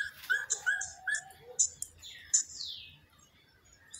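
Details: Elf owl singing in winter: a few short, yelping notes in a quick series, each with a bright, slightly nasal edge, mixed with other high chirps and a downward-sliding whistle nearby.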